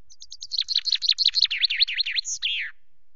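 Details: Perched on the camera at Loch Garten in the late afternoon of 24 May, a common chaffinch delivers its song: quick descending notes, a run of rhythmic V-shaped phrases and a closing slurred flourish.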